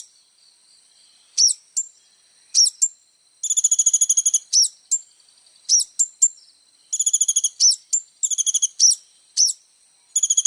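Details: Little spiderhunter in rich gacor song for training young birds: scattered sharp high double chips alternating with fast pulsed trills of about one second each.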